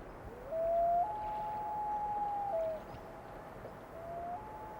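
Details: A common loon on a North American lake, between sunset and night, gives a haunting wail: a low note steps up to a long, steady higher tone, falls away, then rises again over a quiet, still background.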